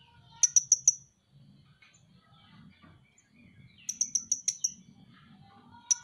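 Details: A Van Hasselt's sunbird (Leptocoma sperata), a well-loved songbird, sings two quick runs of shrill, high ticks, four and then six notes. A single note follows at the end, with soft murmuring between the runs.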